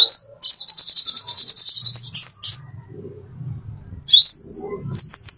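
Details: Plain-throated sunbird, recorded as master song for training caged birds: a long, fast, very high trilling twitter of buzzy notes, a pause with low background murmur, then a rising upslurred note and more twittering.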